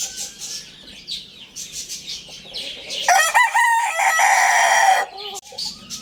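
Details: A young Lohmann Brown rooster gives one loud, strained crow of about two seconds, rising then holding, with softer clucks and rustling before and after.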